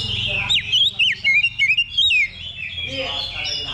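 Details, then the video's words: Oriental magpie-robin singing during a level-two simulated contest as practice before competition: a short run of clear, sharply down-slurred whistles in quick succession, then softer chatter. "Simulasi Lomba Kacer Level 2 Tuk Latihan Sebelum Tanding"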